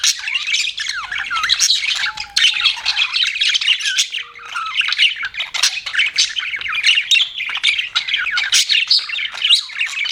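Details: Budgies keep up a busy flock chatter: rapid scratchy chirps and warbled squeaks layered together, with a few short clear whistled notes slipping through the steady noisy babble.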